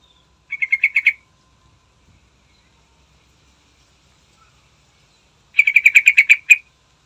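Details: Yellow-vented bulbul morning song used as a lure to prompt other bulbuls to sing: two bubbly bursts of quick, clipped notes, each about a second long, with a long quiet gap between them.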